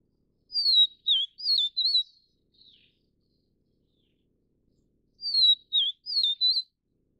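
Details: Niltava vivida vivida, the Taiwan-endemic subspecies of vivid niltava from mountain broadleaf forest, gives a high whistled phrase of four warbling, slurred notes, a faint soft note after it, then the same phrase repeated some four seconds later.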